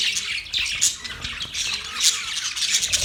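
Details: Australian budgies giving shrill, buzzy chirps and squawks in a continuous jumble, a few piercing notes standing out, with a faint low hum in the background.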